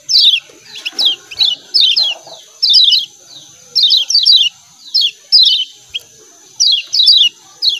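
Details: Lemon-bellied white-eye calling 'ciak ciak' for cage-bird training: rapid clusters of shrill, downward-sliding chirps recurring roughly every second, with faint soft background sounds and a steady high tone.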